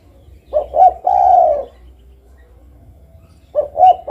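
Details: One full spotted dove phrase of two short coos and a prolonged soft coo, then after a two-second pause the opening coos of the next phrase begin; quiet low hum.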